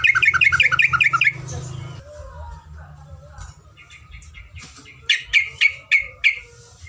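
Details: Yellow-vented bulbul tutor recording with long ropelan: a fast trill of repeated paired notes for about a second, then quieter mixed sounds and murmuring, and later five loud separate sharp chirps.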